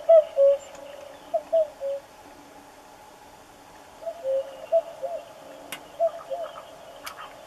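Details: Common cuckoo singing its familiar two-note song, a higher note falling to a lower one, heard in three clear pairs spread across the recording, with faint scattered background sounds.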